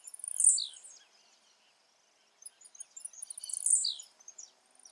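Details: Wild blue-black grassquit singing in its natural habitat: two short, very high, buzzy bursts, each ending in a quick downward slur, spaced about three seconds apart, with quiet natural background between them.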